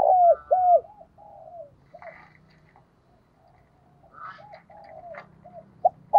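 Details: Spotted dove kept as a decoy, cooing to provoke rivals in the 'giọng thổ' style. Two falling coos open the recording, followed by softer fading coos and faint chirps from other birds in the background.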